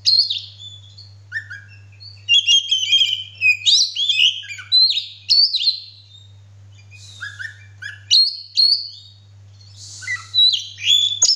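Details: Male Oriental magpie-robin in full song, tail spread, pouring out varied whistles, buzzy slides and chirps in long bursts separated by brief pauses, a steady low hum underneath.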